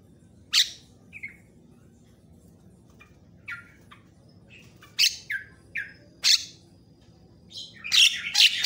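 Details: Javan myna in a training recording used to tutor other birds and to rouse other mynas. Widely spaced harsh, buzzy bursts and short whistled notes are separated by silent gaps, with a cluster of loud rasping notes at the end.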